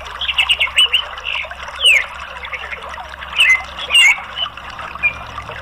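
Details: Orange-headed thrush song used as therapy to encourage a bird to sing: bright whistled and warbled phrases around two to four thousand cycles, short rising and falling notes in bursts, with a faint trickling water background.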